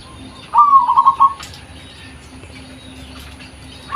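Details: A local zebra dove, natural sound used as a lure, gives one soft rippling phrase of staccato coos lasting under a second, followed by quiet background.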